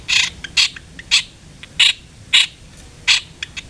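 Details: Long-tailed shrike lure recording used to stimulate singing: irregular harsh, grating bursts spaced about half a second to a second apart, with a few faint ticking notes between them.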